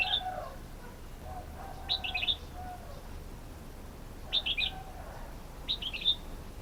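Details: Red-whiskered bulbul calling: short bursts of bright chirpy notes in clusters near two seconds, four and a half and six seconds, with faint lower tones and steady low background hum.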